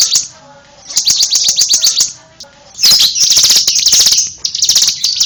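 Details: Bar-winged prinia with a run of quick, high ticking notes, then a loud, sustained, buzzy trill of piercing chips after a short pause.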